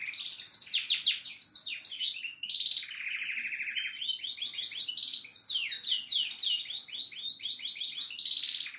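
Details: Goldfinch in full song, an unbroken, energetic jumble of high twittering phrases, fast liquid trills and a harsh buzzy rattle, all loud and clear.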